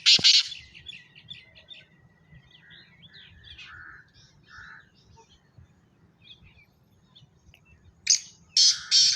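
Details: Black francolin giving loud, coarse, buzzy notes at the start and again at the end, with soft twittering and faint chirps between over a low steady hum.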